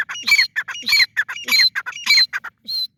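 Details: Francolin in a hurried sequence of harsh squeaky notes with sharp whistled slurs, rising and falling, ending with a short buzzy tone.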